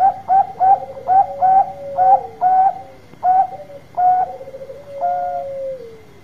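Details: Loud song of a Bangkok-type zebra dove, meant to lure other doves to answer: a rapid series of short, bright, clipped coos over a steady purring undertone, ending in a long falling roll.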